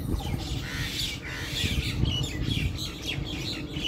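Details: A family of mynas in a garden in India chatters with harsh squawks and bright chirps in quick, overlapping bursts, over a steady low rumble of background noise.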